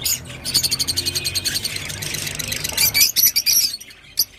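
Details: Rosy-faced lovebird giving a long, rapid, buzzy pulsed trill for almost three seconds, followed by several loud, harsh, high chirps.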